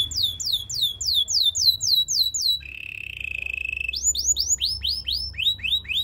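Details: Belgian singing canary heard as a training model for other canaries: repeated curved whistled sweeps, a steady low buzzing roll, then sweeping whistles resume in an even rhythm about four per second.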